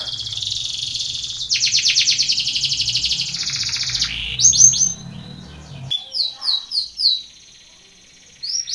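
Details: Belgian canary singing a contest training song: a pulsing trill and rolling tour, then separate loud swooping whistles spaced about half a second apart, ending in a short pause.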